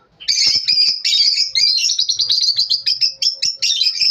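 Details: Lovebirds chirping in the morning, a dense run of rapid high twittering notes, sharp chirps packed closely and repeated continuously for about four seconds with hardly a pause.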